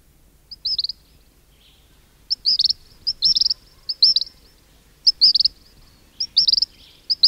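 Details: King cormorants calling close up in a colony, where chicks whistle and adults grunt: bursts of high, stuttering whistled notes repeat every second or so, some bursts clustered closely together, over a quiet low background.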